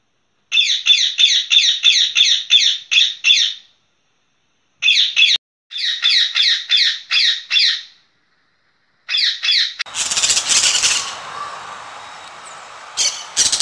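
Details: Green parrot known locally as durra, rose-ringed parakeet, giving rapid series of harsh, grating screeches, about eight per burst with short silent gaps, followed by loud rustling noise and a few final squawks.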